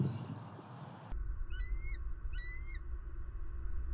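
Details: Eagle in Southwest Florida, recorded by camera on 23 February 2020 at a pond: after a burst of noise, two short, high, upslurred whistled notes follow one another a second apart against a low, constant rumble.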